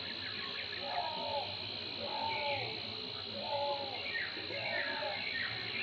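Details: Juvenile grey hornbill, soaked after night-long rain and trying to dry off, giving short mid-pitched calls repeated roughly once a second, with faint higher notes and a steady insect hum behind.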